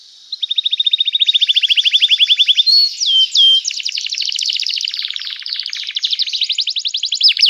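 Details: {'text': 'Canary in full, lively song meant to prompt other canaries to sing back. Long even trill of rapid repeated notes, a few pure upslurred whistles, then dense buzzy rattling rolls changing pitch, continuous to the end.'}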